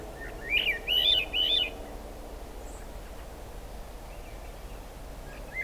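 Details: Swainson's thrush song in rain at Squamish Estuary, July 2022: three brief fluty, upslurred phrases, then steady rain hiss with a faint note near the end.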